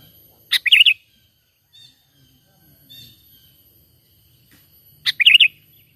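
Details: Natural call of a sooty-headed bulbul, played to attract birds for trapping. Two short bubbly warbled phrases come about four and a half seconds apart, with faint thin chirps in between.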